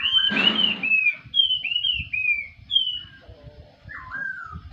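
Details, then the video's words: Morning song of a black-throated laughingthrush: a run of clear, high whistled notes sliding downward, repeated in quick succession, then a lower slurred whistle, over a brief rustling noise and faint low background rumble. "khướu mun hót buổi sáng"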